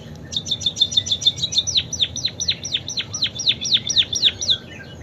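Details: Munia delivering canary-style song: a fast, high, buzzy trill flowing straight into a steady run of sharp, falling whistled notes, roughly four each second, sustained throughout.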